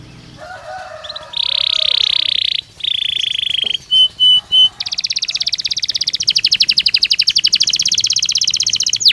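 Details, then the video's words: Belgian canary singing naturally, delivering a varied song: a soft warbled opening, then long steady buzzy trills, three short clipped notes, and a rapid rattling trill of repeated notes to the end. "Som de 1 Hora com Canario Belga Cantando Naturalmente"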